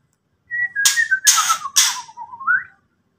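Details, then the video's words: White-rumped shama ketrekan aimed at riling an opponent: a thin whistle slides downward beneath three loud, scratchy rattling bursts, then ends with a brief upward-lifting whistled note. "KETREKAN BURUNG MURAI BARU BUAT LAWAN EMOSI"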